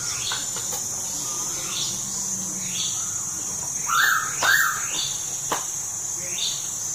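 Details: Pitta at Tha Pom, Krabi, giving two short whistled notes near four seconds, each slightly arched, set against a dense steady hiss of insects and faint chirps of other birds.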